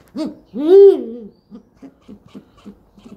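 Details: Indian eagle-owl, also called rock or Bengal eagle owl: one deep, arched hoot that rises then falls, preceded by a shorter low note and followed by faint soft sounds in a quiet space.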